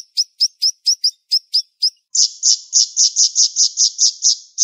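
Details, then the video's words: Siri-siri bird in a fast, dense 'sharp shot' song: seven crisp, evenly spaced high chirps, then a rapid string of fuller, buzzy high notes delivered almost without a break. "Masteran Burung Siri Siri Tembakan Tajam Speed Rapat"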